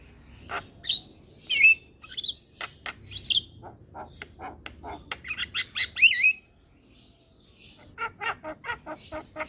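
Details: Starling used as a lure bird to coax silent caged starlings into singing; a varied mix of sharp clicking notes and short squeaky whistles, with a burst of dense chatter near six seconds and a quiet gap before more clicks.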